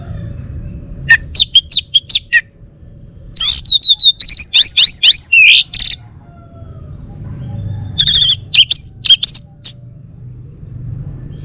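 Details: A male orange-headed thrush (Geokichla citrina), a kept songbird from Bali, sings three bursts of rich, varied phrases, with quick high whistles and chattering notes separated by short pauses, over a low background hum.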